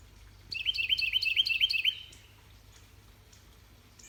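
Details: On a spring morning in a mid-eastern Georgia garden, a male Carolina wren sings to his mate: about six quick, bright whistled phrases in under two seconds, then silence over a faint low hum.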